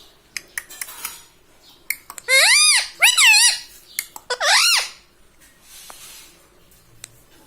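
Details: Pet parrot indoors, a rose-ringed parakeet, gives three arched, buzzy-edged harmonic phrases in the middle, framed by scattered clicks and soft household noise.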